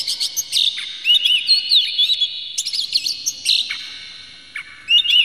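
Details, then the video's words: Lure song of an Oriental magpie-robin showing its tail and full emotion, aimed at provoking rival magpie-robins: bright looping whistles mixed with harsh chips and buzzy notes in short rapid phrases, fading before a final burst. "dijamin kacer langsung ngamuk2 dengar kacer ini bongkar emosi buka ekor ngobra full isian"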